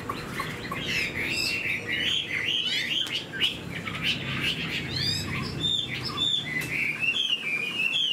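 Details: Chinese Hwamei, caged, fresh new plumage and fanned tail, flicking it laughingthrush-style while singing: mixed chirps and sweet whistles, ending with a string of clear, evenly spaced rising and falling whistles.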